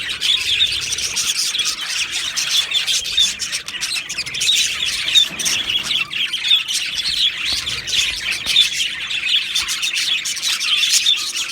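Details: Male Australian budgies, two birds, keep up a long, unbroken stream of bright tweets and raspy squawks, the twittering rising and falling in loudness.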